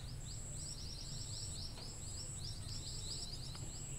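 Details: Scaly-breasted munia gives rapid, thin high chirps in quick series, over a steady high whistle-like tone and heavy low rumbling noise; a call recording used to lure the birds.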